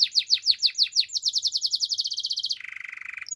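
A Belgian canary sings a fast, high trill that quickens into a rapid rattle, then drops to a lower, buzzy rolling phrase before a brief high note.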